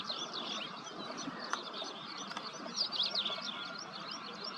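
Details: Ashy-crowned sparrow-lark feeding: a busy stream of short, high chirps and quick twittering notes, growing louder and denser toward the third second, over steady background hiss.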